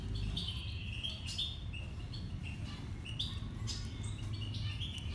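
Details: Baby birds being fed, giving short high chirps and thin squeaks in irregular bursts, several overlapping, over a steady low rumbling hum.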